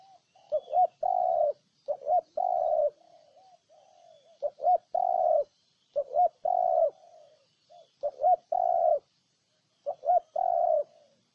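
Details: Spotted dove, Ninh Thuận, Vietnam, in a sustained bout of five cooing phrases. Each has quick double notes and a prolonged soft coo, with short quieter notes trailing between them.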